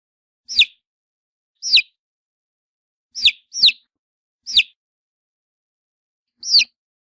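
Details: Yellow chicken chick peeping: six short, sharp, high notes, each sliding steeply downward, spaced irregularly about one to two seconds apart, with a quick double peep near the middle and clean silence between calls.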